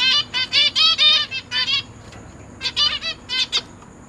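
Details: Newly hatched zebra finch chicks, fed by their parents, give rapid, harsh, buzzy begging calls in quick bursts, about two per second, with brief pauses between volleys.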